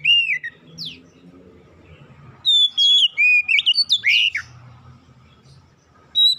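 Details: Used to trigger singing in other magpie-robins, this oriental magpie-robin song starts with a whistle and a downward zip, then after low background noise bursts into a quick run of varied whistles and slurs.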